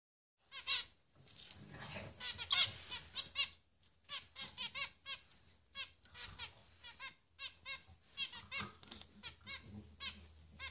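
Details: Three finch nestlings, growing bigger, beg in a rapid stream of thin, high squeaky chirps, many overlapping and repeated in bursts across the whole stretch.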